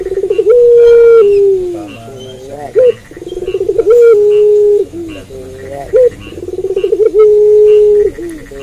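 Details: Puter pelung dove singing steadily at night, roughly every three seconds: a brief rising note, a rapid stuttering roll, and a long level coo that drops slightly before stopping.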